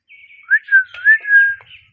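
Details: Indian ringneck parakeets kept as a pet pair: a brief series of slurred whistled notes, rising and dipping, with a soft buzzy overtone and light tapping beneath.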